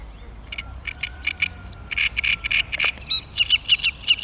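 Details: Great reed warbler recorded on 16 May 2013 in Lithuania: harsh, grating notes repeated in a loose series, rising into louder croaking bursts near the end, with a faint thin whistle from another bird.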